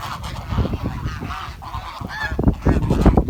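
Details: Village swan chirping sound: a string of bright nasal honks, a few rising and falling, grows louder and busier toward the end over low background rumble.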